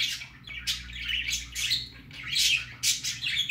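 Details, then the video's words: Baby budgerigar on its first trip out gives rapid raspy squawks and warbling chirps, several sharp bursts in a few seconds, over a low room hum. "Baby parakeet first time go out"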